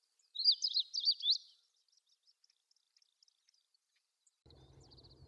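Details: Early-morning long-tailed rosefinch at Wakka Primeval Flower Garden in Hokkaido, Japan: one quick burst of high, zigzagging whistled notes lasting about a second, followed by a faint ticking series and a low rumble at the end.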